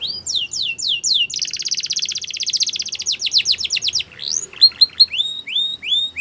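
A Belgian canary sings high, rising whistled notes, then a fast rolling trill of about three seconds, then more quick upswept phrases. No other sounds are heard.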